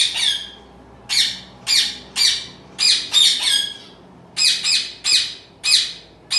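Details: A home-bred zebra finch chick indoors gives harsh, rasping squawks in uneven bursts, about eleven calls in six seconds, some doubled, over a faint room hum.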